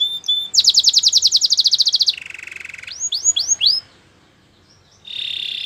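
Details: Canary training song by a white canary: a fast high rattling trill, a lower buzzy roll, then several rising-and-falling whistled notes, a pause and a steady high trill.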